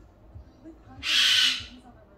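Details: Goffin's cockatoo, a pet about 15 years old, calling in the middle of the day: one loud, harsh, grating screech lasting just over half a second in an otherwise quiet room.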